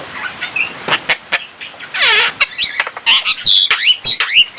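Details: Javan myna performing mimicry of human speech and coughing; quick clicks and ticks, a wavering speech-like phrase, then loud rapid whistled sweeps rising and falling in a tumbling sequence.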